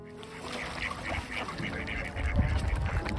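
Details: Mallards calling on March 6 during a display described as a dance, among other ducks; a dense run of quick, nasal quacking notes repeats rapidly over a low rumble of water and background noise.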